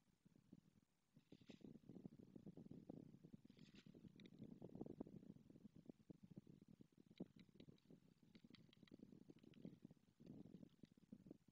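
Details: Pair of white storks on their nest at Madrigal de las Altas Torres, Spain, exchanging the usual greeting display when the male arrives; long sustained wooden rattle of bill-clattering with short high twittering from small birds.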